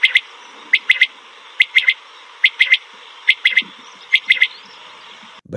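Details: A Pakistani mountain quail (pahari batair) gives short bursts of two or three sharp, clipped notes, repeated roughly every second over a steady background hiss.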